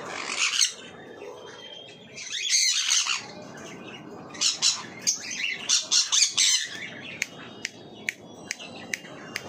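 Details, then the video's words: Marigold lorikeet, a parrot, giving harsh, high screeching squawks in bursts, followed by a run of short sharp clicks or chips near the end. "Marigold lorikeet"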